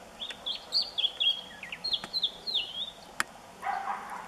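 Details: Singing nightingale delivering a fluid chain of clear whistled notes and short slurs at a steady mid-high pitch, phrases tumbling one after another, followed by a brief soft rustling sound near the end.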